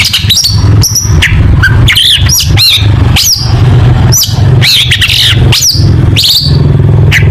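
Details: Lavish mimicry singing by a long-tailed shrike: a string of scratchy chattering notes and sharp whistled slurs, repeated every half second or so, over a continuous deep hum.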